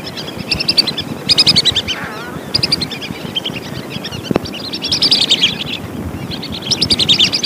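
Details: Lesser whistling duck lure recording: repeated bursts of quick high whistles, each run of several notes, recurring every second or so, with a low noisy background and a sharp click midway.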